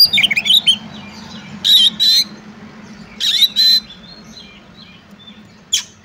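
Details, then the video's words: Oriental magpie-robin in fighting song: a brief whistled warble, then two paired harsh rasping bursts, followed by quieter notes and a final harsh note over background hiss. "Kacer Tarung Ngobra Full Tembakan Cocok untuk Ngetes/ Nyoba Mental Kacer Lain"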